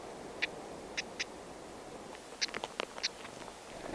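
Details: Wild black-headed stonechat pair tending chicks in a nest hidden in thick grass: short hard clicking ticks, some doubled, with a burst of several ticks near the middle over steady background hiss.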